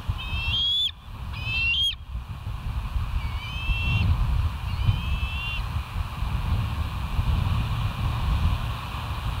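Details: West End bald eagles on a live nature cam, 17 September 2023, 06:50: two sharp whistled chirps close together, then a pause and two softer, thinner piping calls, over a constant low rumble of wind or background noise.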